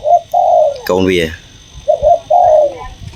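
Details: Young zebra dove chick, leg tied, with a big loud voice and not yet trained: mellow low cooing notes in two short bursts, broken in the middle by a person talking.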